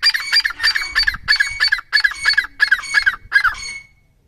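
A francolin gives a quick run of about ten loud, harsh, honking notes, roughly three per second, with no other sounds.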